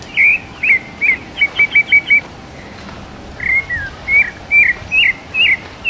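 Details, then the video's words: Paulista rufous-bellied thrush singing its mateiro song style in the wild, recorded live: a quick run of short whistled notes, a brief pause, then slower swooping whistled phrases over soft background noise. "Sabiá parda paulista canto mateiro"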